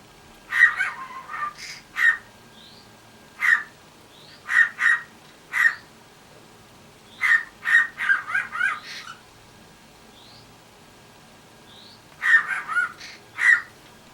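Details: A pet cockatiel imitating the household dog gives short, harsh, clipped barks in quick pairs and triplets.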